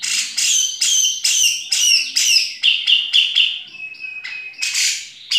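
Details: Grey-cheeked bulbul (cucak jenggot) singing energetically in ngepik style: fast runs of sharp, downward-sweeping notes, about two a second, then several steady whistled tones and a final burst of bright chips.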